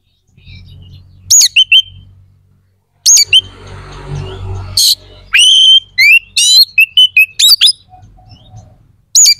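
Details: Oriental magpie-robin in energetic song intended to trigger aggression and breeding urge in other magpie-robins: quick swooping whistles, a noisy rasping passage, then a fast string of sharp chips and whistled trills over faint low rumbling.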